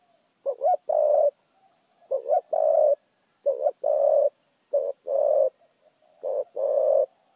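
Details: Fast, precise cooing of a spotted dove: five deep two-part phrases in quick succession, a brief bubbling note and then a sustained soft coo, with short silences between them and faint distant chirping.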